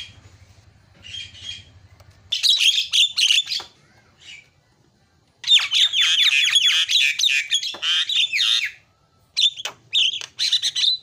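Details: Javan myna giving a very noisy, busy fill-in song: bursts of harsh, squawky chatter and rasping notes, with gaps of near silence between the bursts and a faint low hum at the start.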